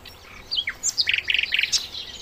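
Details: Sikatan londo flycatcher singing, a sweet master recording meant for training songbirds: a few descending whistled slurs lead into rapid stuttering groups of three or four clipped chirps, then a high closing note.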